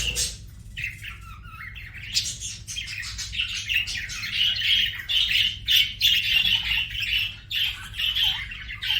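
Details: Budgerigar in full song, a continuous chattering warble of high buzzy chirps and squeaks without pause, louder in the middle stretch.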